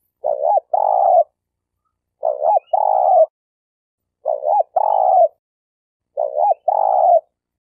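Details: Spotted dove (tekukur) of the denak type used as a lure bird for trapping in Malaysia: soft cooing phrases, a short hooked note then a longer rolling coo, repeated about every two seconds against a silent background.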